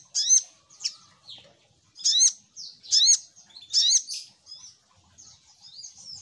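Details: Little spiderhunter (sogok ontong) lure call: clusters of sharp, high, squeaky chirps with quick downward-slurred strokes, each cluster delivered in short bursts spaced roughly a second apart with quiet gaps between.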